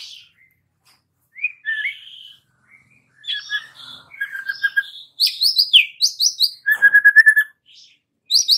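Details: White-rumped shama song used as a lure to get young wild-caught birds singing: varied clear whistles and slurred notes, then a fast run of sharp high chirps and a rapid buzzy trill near the end.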